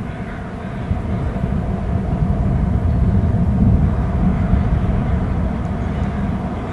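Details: Steady broadband rumble with heavy low-frequency noise and a slowly swelling wash of sound, with no animal calls standing out.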